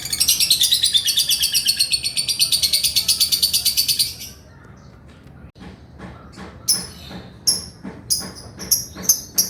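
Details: Male lovebird in 'ngekek' style: a four-second run of rapid rattling high-pitched chatter, then a pause and scattered sharp squeaks with soft clicks.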